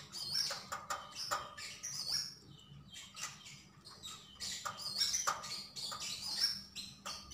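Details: Javan grey-throated white-eye singing busily, bright high twittering phrases and whistled notes in quick clusters, with brief quieter gaps and a steady background hum.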